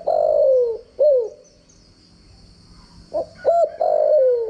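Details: Spotted dove decoy call used to train doves to coo: a long descending coo and a short arched one, a silent gap, then clipped notes leading into another long falling coo. A high whine persists.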